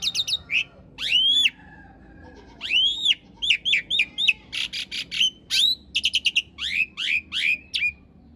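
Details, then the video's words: Asian pied starling master song for training cage birds, with rough fill and long rolls: loud varied phrases of whistled upslurs, harsh buzzy notes and rapid stuttered bursts, with short pauses between phrases. "Suara masteran jalak suren isian kasar roll panjang"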